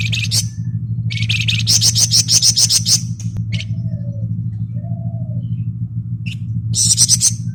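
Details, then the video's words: Flamboyan in ngebren song: a few bursts of rapid, high, buzzy chattering, then a pause with two soft low whistled notes before another short burst, over a low steady hum. "Burung Flamboyan Gacor Ngebren full"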